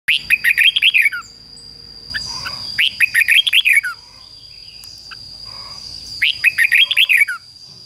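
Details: Red-whiskered bulbul decoy bird singing to lure wild rivals in to fight: three rapid bursts of bright, warbling notes, each a quick run of rising and falling whistles, separated by pauses, over a steady high-pitched whine.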